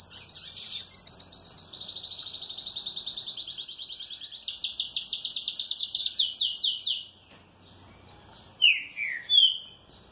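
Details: Well-kept green-winged saltator singing happily: a long, rapid, high chattering trill that drops slightly then rises again, followed by a pause and two short, sharp, descending whistled notes.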